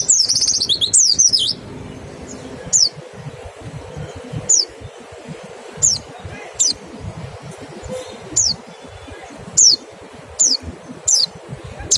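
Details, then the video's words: Mountain white-eye, pleci, in the 'nembak' style and used as a lure to stimulate singing: a dense jumble of high chirps at the start, then single thin, high, downward-slurred notes spaced about a second apart over faint background hiss. "Suara PLECI NEMBAK dan PANCINGAN NGECAL... Sangat EFEKETIF buat rangsang CEPAT BUNYI"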